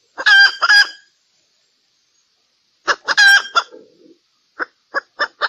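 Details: During mating in valentine season, a hen utters two loud, harsh squawking clucks, pauses, repeats a squawky cluster, then gives four short, soft clucks.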